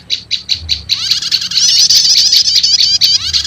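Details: Prinia lure mix of prenjak lumut with prenjak setater for calling wild birds: four quick separate high chips, then a continuous excited stream of thin, wavering, tightly overlapping twitters.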